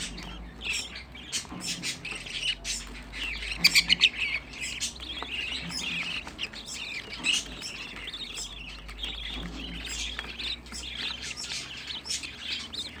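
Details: Sixteen budgerigar chicks housed together over a grate floor, chirping softly and scratchily in a continuous murmur, with a few louder squawks and repeated ticking and clicking sounds.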